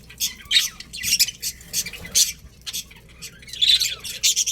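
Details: Colony of budgerigars, including a breeding pair, giving rapid overlapping chirps and scratchy squawks in clustered bursts, loud chatter alternating with short lulls.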